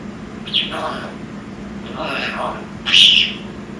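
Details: Young African grey parrot, six months old, kept as a pet, making noises: three short chirpy, whistled bursts with harsh overtones, the last one loudest and highest, separated by brief pauses over a low steady room hum.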